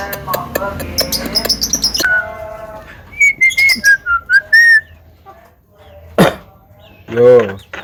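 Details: Talking common myna kept at home, able to cough, laugh and call out to girls: a burst of clicks and harsh notes, then a string of short pitched whistles rising and falling, ending in a raspy squawk.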